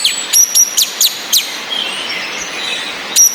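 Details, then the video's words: Sharp, evenly spaced high chirps from a female orange-headed thrush, whose ngecis call is played to push males that only twitter into singing; about five notes in a row, then a pause over falling rain. "ANIS MERAH BETINA NGECIS‼️ COCOK UNTUK NAIKAN BIRAHI BURUNG YANG MENTOK DI NGRIWIK SAJA"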